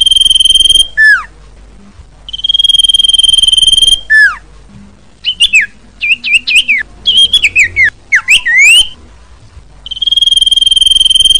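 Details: Common iora, its song used as a lure for trapping birds: long steady pulsed whistles alternate with sharply falling slurred notes and a burst of varied quick chirping phrases in the middle.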